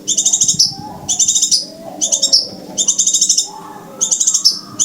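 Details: Scarlet minivet call played as a lure for trapping birds: five bursts of rapid, high, thin chattering notes, each ending in a slurred whistle, over a faint low background hum.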